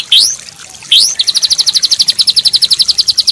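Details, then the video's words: White-rumped shama song from a training recording meant for a stressed bird that has stopped singing: two bright upswept whistles, then a long, fast, even series of sharp high notes repeated rapidly. "Masteran Ampuh Untuk Murai Batu Macet, Setres"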